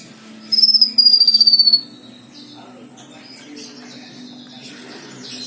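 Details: Black-winged myna singing a bright, high whistle that descends gently and carries a fast pulsing tremor, then breaks into scattered, softer chirpy notes over a steady low hum.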